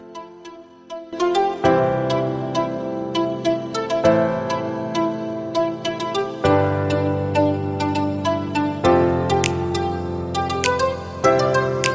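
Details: Gentle plucked-string music with sustained chords and no animal sound.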